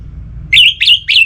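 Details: Orange-headed thrush recording meant to stir kept birds into song: three quick bright whistled phrases in a row, each a sharp upward slur settling into a shorter trailing note.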